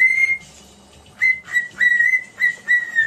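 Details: Cockatiel whistling for song training: a long steady whistle near the start, a pause, then five short level whistled notes repeated about every third of a second, with rich overtones.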